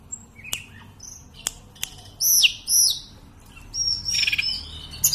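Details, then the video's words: Sunda robin, local name sulingan gunung, in steady song: scattered sharp ticks, two loud high whistles bending downward, then a thin fluttering high phrase closing the passage. "Tledekan/ burung sulingan Gunung"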